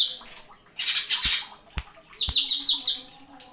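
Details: Greater green leafbird (cucak ijo) in a masteran tutor recording with sharp 'isian'. Harsh scratchy bursts are followed by a brief trill of high, sliding notes, with a few sharp knocks in between.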